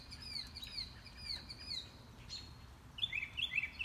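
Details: Wild mockingbird heard but unseen on a morning walk: fast repeated high slurred notes, a brief pause, then a burst of rich warbled notes at the end.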